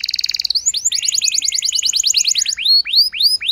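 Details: Lure song of a canary meant to make a reluctant bird respond and sing at length: a fast high trill gives way to a run of sweeping downslurred notes, ending with slower arched whistles.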